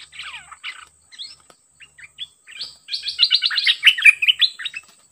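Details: Very aggressive wild-caught bird sparring with a decoy. Scattered chirps and falling whistles give way to a loud, dense burst of rapid buzzy, twittering notes, then it trails off.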